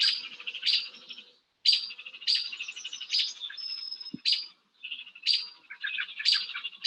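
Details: Small songbirds mob an Eastern screech-owl, scolding with high, buzzy chattering notes in bursts about once a second, several birds overlapping.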